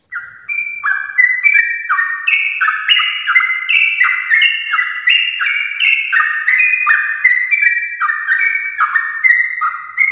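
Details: A sooty-headed bulbul in full morning song in the long ropel style, meant to set other bulbuls singing: a ten-second unbroken run of quick, liquid, slurred notes that rise and fall in small steps, with a brief quiet start.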